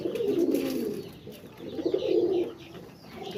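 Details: Pigeons, apparently indoors, giving two long, low, rolling coos, each about a second, separated by a brief gap, with faint higher twittering behind.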